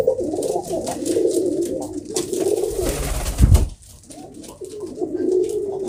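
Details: Domestic pigeons kept by a fancier, steady low throaty cooing, interrupted midway by a loud thump or bump, then the cooing resumes more softly.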